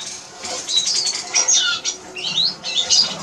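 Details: ['Eurasian siskin (Spinus spinus) song: a rapid, squeaky twitter of short rising and falling notes over a steady hiss.']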